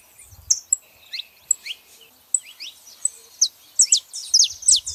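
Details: Saffron finch pair, female and male, with sporadic high chirps that build into a faster, louder cluster of descending notes near the end.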